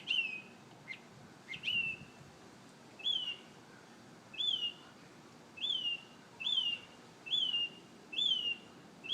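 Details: Singing bird at daybreak gives clear whistled notes that rise sharply then slide down, repeated about once a second, with a few short chirps at the start.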